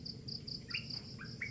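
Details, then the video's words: Brief burst of three rising chirps from a bird at early morning, clearly above a steady high cricket trill. "ANO ANG SINASABI NG IBON?"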